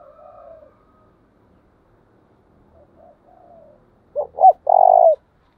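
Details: Spotted dove decoy bird used to train doves. A soft coo trails off at the start, followed by near silence with faint murmurs. Then a loud 'chìm' phrase sounds near the end: two quick rising hoots and a long, steady coo.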